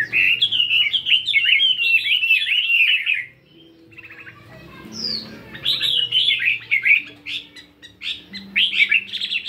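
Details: Caged 72-gram fighting Chinese hwamei practising its morning song: a dense fast warbling run of whistled notes, a short pause with quieter twitters, then renewed rapid varied phrases.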